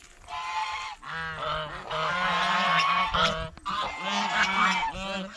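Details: Several geese honk steadily, about two calls a second, loud harsh nasal notes overlapping while the birds eat bread and fresh vegetables at a fish pond.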